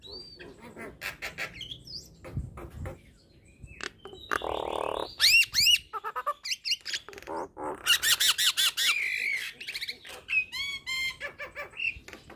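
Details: Varied Nias hill myna song mixing high whistles, short clicks and harsh rasping bursts. Several loud bouts come in the middle, and a run of quick, bright, chattering notes closes the phrase.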